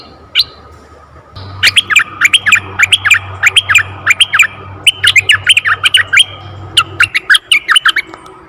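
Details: Red-eyed bulbul, forest bulbul, used to lure bulbuls: sharp chirpy notes repeated in quick bursts of two or three, about three per second, sliding between mid and high pitch, over a steady low hum.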